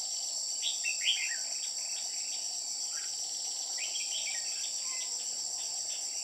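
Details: Red-whiskered bulbul with white cheeks, recorded during trapping, gives a few liquid chirping phrases of jumbled up-and-down notes, early and again midway, half buried beneath a constant shrill cricket hum.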